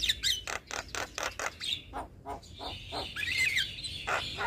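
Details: Young Javan myna in full song, used as a tutor and lure for training other mynas: a fast run of harsh, clipped notes about five per second, then a wheezy, buzzy, drawn-out phrase with squeaky inflections.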